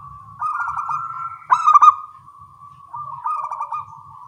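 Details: Zebra doves, local perkutut, answering one another in the morning with soft rolling coos interrupted by a louder, choppy stuttering phrase; a low rumble sits faintly underneath.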